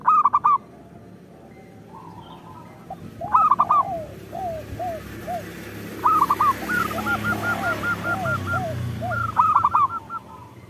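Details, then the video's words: Local zebra dove song meant as a lure for other zebra doves. Loud rolling coo bursts alternate with soft drooping coos and a fast, even run of short notes, over steady background hiss. "Perkutut lokal gacor Suara Pancingan Paling Disukai Burung Perkutut"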